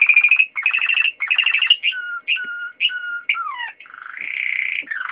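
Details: Waterslager canary singing a varied song: several bursts of fast pulsed trills, clear whistled notes with sliding, falling slurs, then a swelling buzzy roll.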